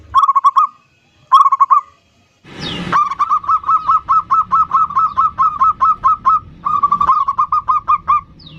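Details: Energetic local zebra dove song, ndudut variation style, used as a lure to call in a rival and rile it. A few separate cooing phrases lead into long, fast, rhythmic runs of short notes, with a brief rustle partway through.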